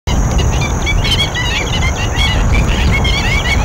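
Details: A noisy group of black-winged stilts at Basai Wetlands, Gurugram, India, gives sharp, yapping calls that overlap without pause, over a heavy low rumble of wind.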